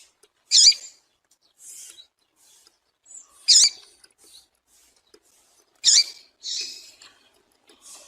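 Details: Female papa-capim seedeater calling to fire up males for singing contests: sharp high chirps roughly every three seconds, each followed by a softer hissy note, in an otherwise quiet setting.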